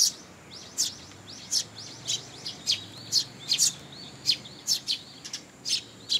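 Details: Juvenile sparrows coming for food from their parents at a Tenmangu shrine in July 2022; a busy stream of high, sharp chirps, several per second, with softer twittering beneath.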